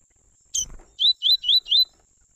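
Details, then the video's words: A Double-collared seedeater, one of a father-and-son pair, gives a 'tui tui' warm-up phrase. One buzzy note is followed by four clear, evenly spaced upslurred whistles delivered quickly. A faint steady high tone runs in the background. "Coleiro tui tui pai e filho o melhor Esquenta para coleiro preto e pardos"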